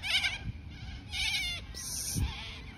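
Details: Cockatoos from a large flock eating weeds in Centennial Park, unafraid of people while children chase them; three harsh, loud screeching bursts with a rough, raspy tone, with people moving about nearby.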